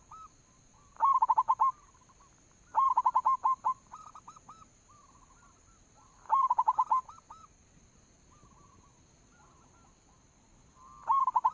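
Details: Repeated phrases from a local zebra dove used as a lure: bursts of fast rolling coos every two to three seconds, each followed by softer hooked notes, over a steady faint hiss.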